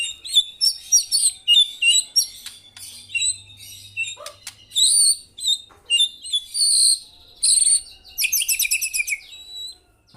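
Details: White-rumped shama in full voice: a long series of short sharp high phrases, varied whistles and chips, ending in a fast rattling trill.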